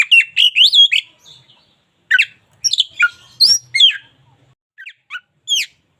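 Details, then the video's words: Oriental magpie-robin of a local strain in active song for daily tutoring: a rapid cluster of bright whistles, a pause, then scattered chirps and down-slurred notes with soft gaps. "KACER LOKAL GACOR SUARA UNIK"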